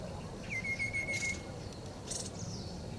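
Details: Two Rufous-capped Babblers chirping while weaving through bush in Metropolitan Park, Taichung City, 13 November 2021: a thin, steady whistled note held level about a second, faint higher falling notes, brief rustly bursts over soft hiss.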